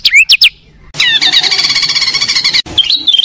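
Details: Oriental magpie-robin, a competition bird, delivering isian fill-in phrases: two sharp falling whistles, a pause, then a dense buzzy rapid trill and a final warbled whistled phrase, with abrupt cuts between sections.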